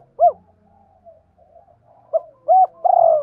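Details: Spotted dove decoy cooing to provoke wild doves, 'hai hậu' style: one rounded hoot, a quiet stretch of low murmurs, then short hoots leading into a long drawn coo.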